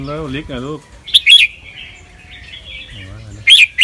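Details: A caged albino red-whiskered bulbul, a white fancy bird with red eyes bred for song competition in Chonburi, Thailand, sings in training, in a style said to be doubled, trilled and quick. A man speaks, then loud sharp notes lead into flowing chatter.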